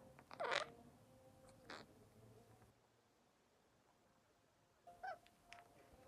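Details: A female pet monk parakeet, chattering to herself in a mirror, gives a few short, scratchy chattering bursts separated by quiet pauses.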